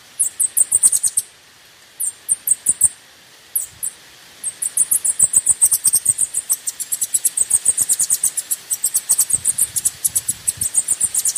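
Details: Lure song of the Bananaquit meant to excite birds: short clusters of needle-thin, high ticking notes, then a long unbroken stream of rapid high chips lasting several seconds.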